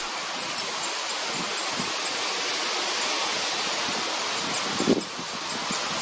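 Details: Steady broadband rushing like wind through leaves or running water, with a brief knock near the end and no clear animal calls.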